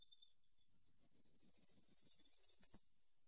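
A Firecrest sings a very high, thin run of notes that speeds up over about two and a half seconds and rises slightly at the end. No other sounds.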